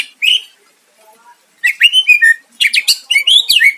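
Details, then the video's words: Greater green leafbird singing in a loud, fiery style meant to provoke a rival: short whistled and slurred notes around mid-high pitch, then a rapid burst of sharp chattering phrases with buzzy overtones. "Cucak ijo gacor mancing lawan dijamin Nyahut"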